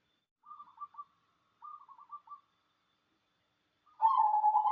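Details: Local cemani zebra dove in manggung song: two soft runs of quick clipped notes, then a loud, rolling burred coo phrase begins at the end.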